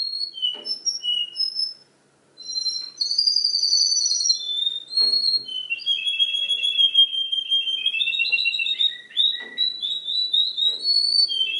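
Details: Canary mimicking the songs of other birds: short whistled notes at varied pitches, a brief pause, then a loud high trill and a long run of buzzy and warbled phrases dipping and rising in pitch.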